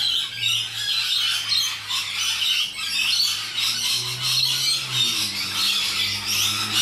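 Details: Loud rainbow lorikeets give a steady barrage of rasping, shrill squawks layered over one another, with a faint low steady hum running underneath throughout.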